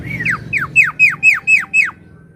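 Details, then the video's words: Javan myna, gacor singing used as a bird lure and to make silent birds sing: seven loud whistled notes in steady rhythm, each sweeping sharply downward. "Suara Burung Jalak Kebo Gacor~Cocok Untuk Pemikat Burung Jalak Kebo Macet Bunyi"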